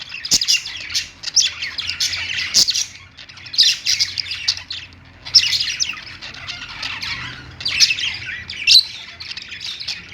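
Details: Pet budgerigars singing on a perch, kept alongside lovebirds: dense, scratchy warbling chatter in bursts about a second long, with brief pauses and sharp clicks between phrases.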